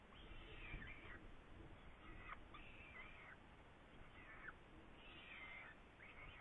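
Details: Saker falcon, Hungary, 8 May 2019, around prey: several drawn-out, scratchy screaming calls about a second long, separated by short pauses, with a low steady rumble behind.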